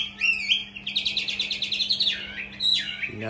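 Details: A tamed fighting Hwamei, caged in Hanoi, Vietnam, pours out a fast rattling series of high repeated notes followed by looping slurred whistles, with a man's voice beginning at the end.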